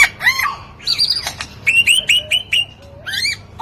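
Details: Lyrebird, an Australian ground-dwelling mimic known to copy human and artificial sounds, pouring out a rapid medley of varied mimicked notes: squawks, bright whistled slurs and clipped chirps in quick high-pitched bursts.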